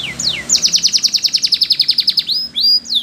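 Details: Spanish Timbrado canary training song: a few sliding whistles open into a fast, even metallic trill of about seven notes per second lasting nearly two seconds, then level and rising whistled notes.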